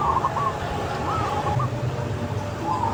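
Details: Local zebra dove singing outdoors in open nature, giving short, soft, rolling cooing phrases at about one-second intervals, partly buried under a steady low rumble of background noise.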